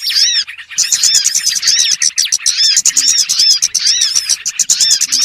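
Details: Lure call of small birds used to catch birds: after a short squeaky opening and pause, a steady stream of shrill, clipped chirps and arched whistled notes from many birds at once.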